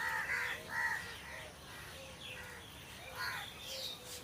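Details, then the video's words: Crows around trees giving quick hoarse caws, several in a rapid run at the start then scattered single calls, over soft high chirps of other birds. "Crow Sound Crow Ki Awaj"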